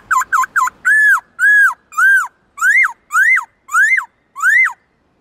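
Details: Caged black-throated laughingthrush singing in a varied many-voiced forest style: three quick clipped notes, then eight loud arched whistles, each rising then falling, delivered at a steady pace in a quiet room.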